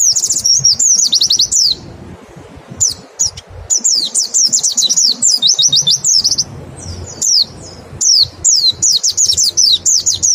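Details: Rapid 'nembak' song of a mountain white-eye, with 'ngecal' calls used as a lure to stimulate singing: long bursts of fast, high, twittering downslurred notes broken by short pauses.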